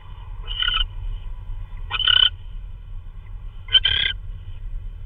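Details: Owl delivering prey, possibly a vole, at 3:12 AM on March 16 2013: three softer, hoarse hissing screeches about 1.5 seconds apart, slightly fainter than usual, with low-frequency hum beneath.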